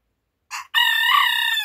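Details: Rooster crowing in the morning: a brief harsh opening note, a tiny gap, then one loud, sustained, rich crow held for about a second, with no other sounds around it.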